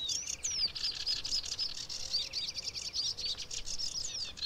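Sedge Warbler giving a fast, chattering song of varied scratchy trills, rasping notes and thin whistles, running continuously with little pause; faint background noise.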